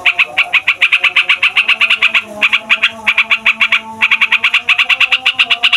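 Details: Rolling, noisy song of a yellow-vented bulbul used as a lure to make lazy or young bulbuls sing: fast repeated bright chattering notes in long runs, briefly broken around the middle, with faint low tones behind.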